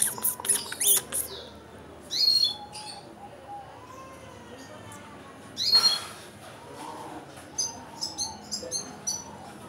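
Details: A 10-day-old red siskin chick begging, giving thin, high, scratchy chirps in short bursts, ending with a quick run of tiny squeaks, over soft background hiss.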